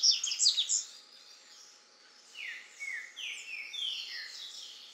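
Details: Male Double-collared seedeater singing while feeding on grass seeds, Caparaó National Park, Alto Caparaó, Minas Gerais, Brazil, 9 January 2017, 09:14. Bright, high twittering chirps open the clip, then a series of clear downslurred whistles, with a Green-winged Saltator also singing in the background.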